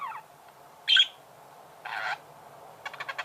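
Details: Budgerigars singing: sparse notes, a sharp high chirp near the first second, a buzzy chattering burst a second later, then a quick run of dry clicks at the end, with quiet gaps between.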